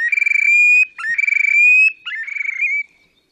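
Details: Displaying Terek sandpiper at Lipovaya Gora, Verkhnee Sheikino, on the Pra in Oka Nature Reserve, Russia, 30 April 2019: three ringing whistled trills, each rapidly pulsed and rising slightly in pitch, separated by brief rising slurred notes.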